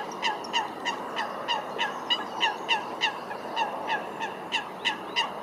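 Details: Eurasian coots in a fight at Wilgenbos, Almere, giving a rapid run of short, sharp, harsh calls, roughly three every second and fairly evenly spaced, over a steady hiss of background noise.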